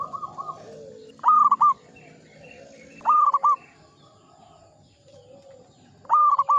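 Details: Zebra dove, local type, singing in Mataram ngepat rhythm: three separate phrases of a long cooing note followed by two quick clipped coos, spaced about two seconds apart, with soft background bird calls.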